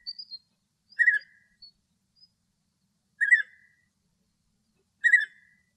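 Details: Male European bee-eater in Greek nature, singing happily: short rolling, burry trilled notes repeated roughly every two seconds, three clear calls, with a few faint higher chirps at the start.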